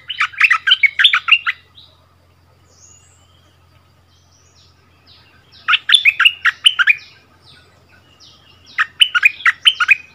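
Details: Decoy bulbul back in its old territory, trading double songs with a new resident bird: three bursts of quick, lively chirped phrases, each about a second long, separated by quiet gaps.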